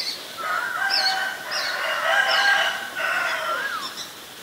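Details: Ashy drongo recorded in Ubon Ratchathani, Thailand, on 11 April 2022: loud whistled slurred notes, some rising and some falling, with short higher sharp notes mixed in over about four seconds.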